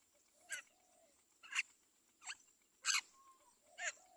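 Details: Begging of a Great myna baby being fed with care by its mother; five grating, buzzy bursts spaced about a second apart, one brief pure whistle between them, and a faint steady high tone throughout.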